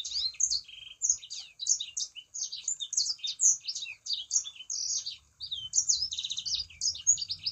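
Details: Sangihe shrike-thrush singing to lure other sanger birds into song: a nearly continuous stream of high, quick chirps and slurred whistles with short breaks near one and five seconds. Soft low background hum.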